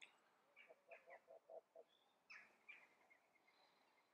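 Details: Hawaiian goose (nene) giving a quick series of six or seven short, nasal notes, then a few sharper calls, with faint higher chirps from other birds over a quiet outdoor background.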